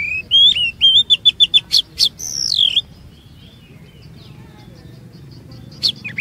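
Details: Oriental magpie-robin singing as a lure to prompt long phrases and new notes from other magpie-robins; a quick series of rising and falling whistles with clicky accents for three seconds, then near silence before a final short note.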